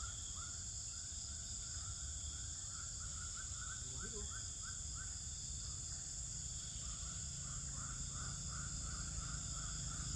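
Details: Swiftlets in a Pekanbaru bird house, day 12. Series of quick upswept chirps run in bursts, with a brief lower warbling call near the middle. Constant high hum and low background rumble throughout.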